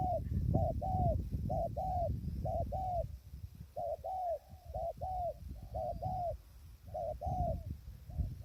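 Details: Spotted dove calling at a trapping blind in strong wind, wild doves far away; steady series of rounded, slightly arched coos in pairs, about one per second, over heavy low wind rumble.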